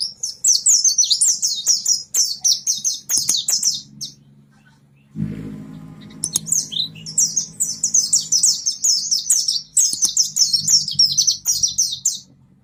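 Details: Pleci monty kept in East Lampung, Indonesia, delivers two long bursts of rapid, high, chattering warble separated by a pause filled with low rumbling household noise.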